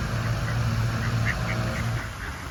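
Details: Mallard ducks by the water give a run of soft, low, nasal quacks and social chatter, several in quick succession, over a steady low rumble.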